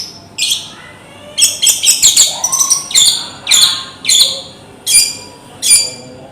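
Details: Javanese long-tailed shrike in vigorous filler (isian) song: loud sharp metallic notes and short chattered phrases spaced about once a second, with a strong room echo.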